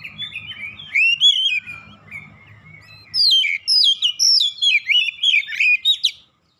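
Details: Provoked oriental magpie-robin in aggressive challenge: varied whistled warbling phrases, first a few rising and falling notes, then a fast run of loud sweeping whistles after a short pause; low hum in the first half.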